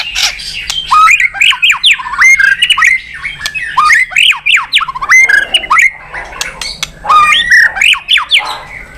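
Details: White-rumped shama singing energetically, a song offered to provoke other birds to sing: loud, varied whistled phrases with sharp upward and downward slurs, poured out in quick succession with brief gaps.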